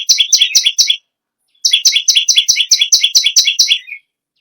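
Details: A bar-winged prinia gives a quick burst of bright, metallic two-part chirps. After a half-second break comes a longer run of the same notes, repeated briskly at an even pace. No other sounds are heard.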